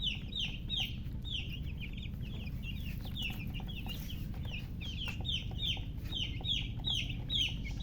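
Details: Loud peeping of just-born chicken chicks, clear high down-slurred chirps repeated rapidly, a couple each second, crowding over one another above a low rumble.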